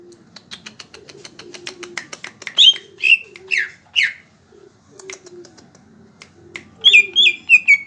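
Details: Greater green leafbird singing actively in rapid bursts: soft low notes mixed with sharp, high, downslurred whistles and short trills, with a quick chattering series near the end.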